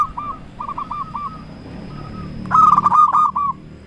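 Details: Local zebra dove lure song to excite rivals into answering: soft stuttered coo phrases at the start, then a loud burst of rapid ticking notes and rolling trills with a faint hum behind.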